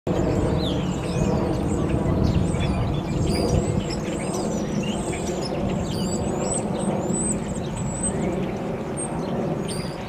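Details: Common starlings at Belle Haven Park chatter in a busy mix of high whistles, slurred squeaks and clicks, many birds at once, over a steady low rumble of traffic or wind.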